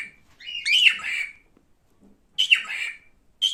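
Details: Male cockatiel repeating loud, raspy, up-and-down whistled squawks, roughly one every second or two, with near silence between them.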